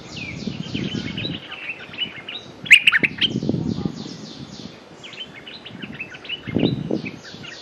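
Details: Streak-eared bulbul calling a mate as a lure: one loud cluster of sharp, bright chirps mid-recording, while many fainter bird calls chatter in repeated downslurred notes and low rustling comes and goes.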